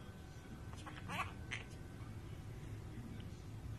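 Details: Talking pet bird swearing at its owner; several short, raspy speech-like syllables around the middle, set against steady low background rumble.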